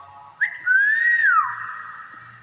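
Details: Common hill myna giving a long clear whistle that jumps up, slides gently higher, then drops and holds steady.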